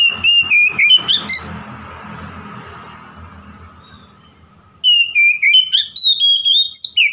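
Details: Song of an oriental magpie-robin meant to provoke a rival: quick loud whistled notes with sharp high accents, a fading pause of several seconds with low rumble, then a fresh rapid run of varied whistles.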